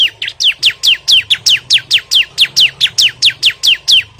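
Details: Bar-winged prinia in a furious challenge to a rival: a relentless run of clipped, high, falling chirps, roughly three per second, all loud and evenly spaced.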